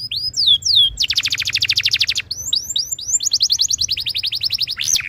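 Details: Canary singing tutor song to get other canaries singing: a few swooping whistles lead into a long even trill of rapid notes, followed by rising slurs and a fast descending roll.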